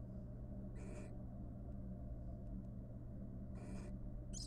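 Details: Wild barn owl pair courting in a nest box after bringing up three nestlings: harsh hissing screeches near the start and end, with faint clicks between, over a constant low hum.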